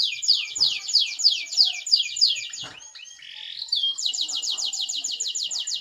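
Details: Canary singing to prompt other canaries to join in: a fast, loud series of downward-sweeping notes, a short rough twittering passage, then a sustained even rolling trill.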